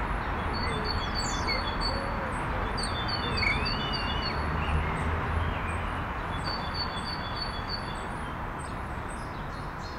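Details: Evening starling chatter from a bird sitting on a branch with its flock while stretching: a running mix of slurred whistles, rising and falling warbles and clicky notes at mid to high pitch, over constant low rumbling noise.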